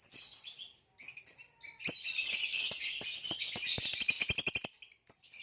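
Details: A captive male green hybrid Nyasa lovebird, purple-rumped, sings a long continuous high twittering chatter of rapid buzzy notes, speeding into quick repeated clicks before a pause.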